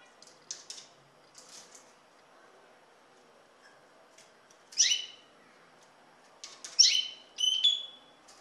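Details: Common linnet calling: a few short, high, sharp chirps scattered through a quiet background, with faint ticks early and a louder pair of calls near the end.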